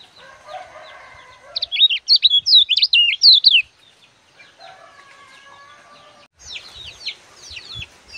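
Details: Sunbird (kecial) in loud 'gacor' singing style, used as a master recording for teaching young birds: a buzzy, trilled phrase, then a burst of sharp, high twisting whistles, then more buzzing and scratchy high notes.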